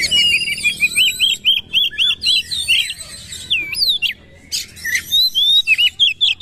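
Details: Oriental magpie-robin (kacer) singing in a powerful 'nembak' shooting style while bowing ('gaya sujud'): a run of eight short rising whistles near the same pitch, then varied swooping high notes and sharp clicks.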